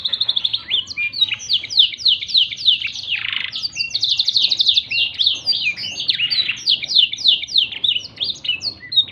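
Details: Black-throated canary performing a tutor song for canaries: long, unbroken high warbling of fast slurred chirps and trilled runs, with a short buzzy rasp near the middle.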